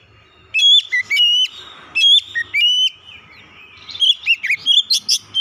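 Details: Oriental magpie-robin song used as a lure to get a reluctant house-kept bird singing: loud clear whistled phrases, short sliding notes repeated in bursts, then a quicker run of varied rising and falling whistles, in a quiet background.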